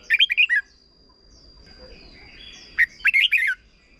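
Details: Two brisk phrases of whistled, chattering notes from a red-whiskered bulbul singing a short teaching song for young birds, separated by a quiet gap of about two seconds.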